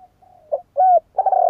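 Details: Spotted dove cooing: soft low hoots, a short coo, a smooth level note, then a rolling, throbbing coo cut off at the end. The background is quiet and there are no other sounds.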